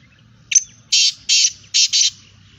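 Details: Female black francolin (kala teetar, kali madi) calling: a short sharp note, then four harsh, grating broadband bursts about a quarter second apart, the last two nearly joined, over a low steady hum.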